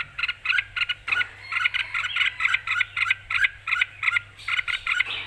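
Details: Red-whiskered bulbul, excited and in clear voice, producing a steady stream of rapid, evenly pulsed chirping notes, several each second, sustained across the whole stretch.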